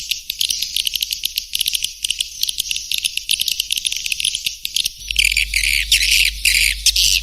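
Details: Swiftlet call used as a lure to attract swiftlets: dense, fast, high-pitched chittering and clicking twitters that become louder and harsher after about five seconds, with a low steady hum underneath.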